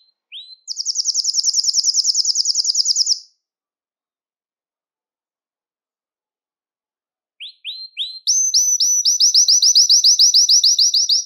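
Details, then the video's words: Belgian canary singing to stimulate males and bring females into breeding condition; a long high rapid trill, a silence of about four seconds, then a few rising chips leading into another fast, even trill. "Canto Para Esquentar Canário Belga e Foguear as Fêmeas"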